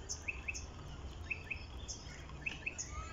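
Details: Birds calling on a foggy morning in the bushes at Point Walter: sharp high chirps in quick pairs recurring about every second, with occasional softer whistles over a low background hum.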